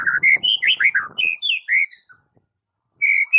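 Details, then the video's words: Short burst of white-rumped shama song from a training recording for mute shamas: quick, rich whistled notes falling in pitch, a brief pause, then another bright whistle. "Murai Batu BISU seketika langsung TERPIKAT dengan MASTERAN murai batu ini"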